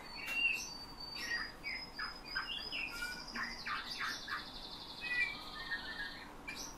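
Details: Trained pet bullfinch echoing its owner's whistling and snatches of nightingale and thrush song; a rapid run of clipped chirps leads into a long, slightly wavering whistle held for several seconds.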